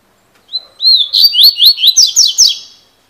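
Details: A 'fibra' Double-collared seedeater (coleiro) gives one 'cilada'-style phrase: two rising whistled notes followed by a rapid run of sharp, buzzy slurs that sweep downward, ending in a fading trill. No other sounds are heard.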